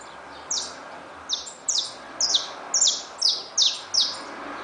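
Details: Caged saffron finches with newly hatched chicks: a series of seven short, high, downward-sweeping chirps given at uneven intervals of about half a second, over a steady low background hiss.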